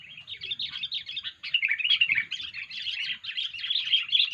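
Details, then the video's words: Lure recording of a sooty-headed bulbul's odd 'poin' call: rapid, harsh, tumbling chatter that runs continuously, pulsing in loudness, with a short dip near the middle. "poin kutilang suara aneh"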